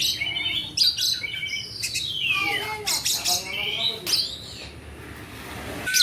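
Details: Caged Asian pied starling, black and white, singing a varied run of whistled rising and falling notes, sharp chirps and harsh bursts, with a man talking briefly nearby.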